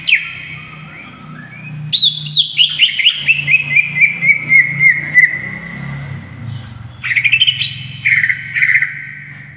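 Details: A greater green leafbird (cucak ijo) sings, a tutor recording for young birds: rapid, varied whistled notes in a long descending run of bright slurred chips about four a second, over a low steady hum.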